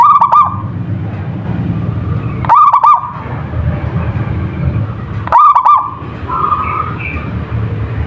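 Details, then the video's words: A local zebra dove sings three bubbly, trilled coo phrases spaced about 2.5 to 3 seconds apart, with a low rumbling background. "perkutut lokal gacor / suara merbok suara perkutut merdu"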